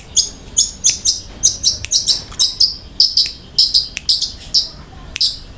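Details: Cendet, or long-tailed shrike, firing a tembakan roll-speed series: crisp high notes, each with a sharp attack, repeated steadily about three times a second in a clean, bright sequence.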